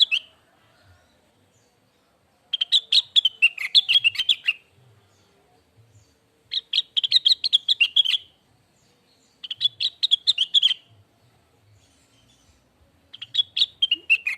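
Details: Lesser green leafbird singing in a tutor and lure recording: four separate phrases of fast, sharp chattering notes, each lasting one to two seconds, divided by quiet pauses, with a faint low rumble in the background.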